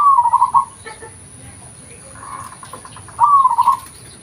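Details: Local zebra dove with its natural voice used as a lure: a pulsed coo at the start, faint softer sounds in the pause, then another rippling phrase about three seconds later.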